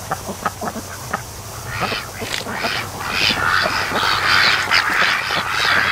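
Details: Young raised ducks, day 92, resting at a lake creek mouth on a sunny afternoon. A few soft quacks open the clip, then a dense, higher, rapid chatter of overlapping calls swells and continues to the end.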